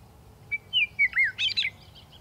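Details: Single song of a Western meadowlark: a thin whistled lead-in, two falling slurred whistles, then a rapid bubbling, gurgling ending, all within about one second, with low hum beneath.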